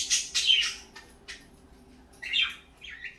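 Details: A quick run of bright, whistled chirps from parakeets in the morning, a pause, then two more short rising and falling chirps.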